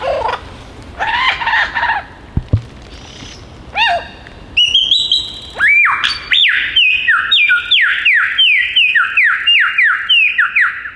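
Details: Male Superb Lyrebird perched on a log in the Dandenong Ranges east of Melbourne, Australia, singing and mimicking many bird species: harmonic notes, then a loud run of rapid, repeated whistled down-slurs and sharp rising sweeps.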